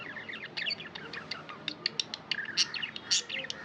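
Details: Tamed budgerigars chattering, rapid high ticks and wavering warbled notes at nearly two per second, with a few louder squeaky chirps.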